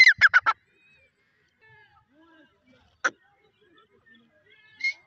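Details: Grey francolin, known locally as white teetar, giving a quick burst of four harsh, loud, broadband notes, then a single rasping note about two and a half seconds later and a shorter one near the end, with quiet faint sounds between.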